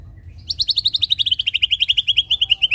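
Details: White-rumped shama song used to lure birds into singing: a rapid, even rattle-like series of about twenty-five high chattering notes, slowly dropping in pitch, over a quiet low hum.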